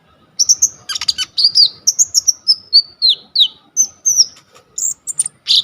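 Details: Coconut lorikeet, a very vocal bird with a full repertoire, used as a tutor for training kolibri ninja birds, filmed on a phone: a quick string of high, bright whistled notes, many sliding downward, in clear succession with a quiet background.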